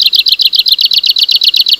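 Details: Arctic warbler song, a rapid even trill of hard buzzy notes repeated about ten times a second without pause, noted as very different from greenish warbler relatives.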